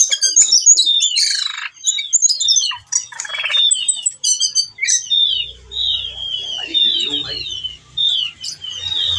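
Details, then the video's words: Breeding-condition whistling thrush calling a female, delivering a varied repertoire: dense harsh chatters and buzzy bursts early, then a steady run of slurred whistled phrases, with a faint low rumble late. "ciung batu gacor teler bongkar isian"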